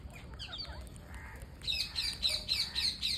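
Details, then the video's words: Parakeet being fed, giving rapid, high, repeated chirps. Notes come faster and louder in the second half, several per second, over a low background hum. "Parakeet Feeding"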